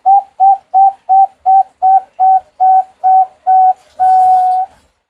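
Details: Bangkok-type zebra dove singing to prompt other birds: ten clean, evenly spaced cooing notes about three per second, closing with one long sustained whistled coo.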